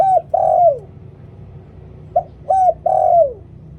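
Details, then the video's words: Spotted dove decoy in 'liw tan' style: the tail of a descending coo, a pause, then a complete phrase of short note, arched coo and long downward-sliding coo. Steady low hum underneath. "หลิ่วตัน เสียงต่อนกเขาเสียงชัด"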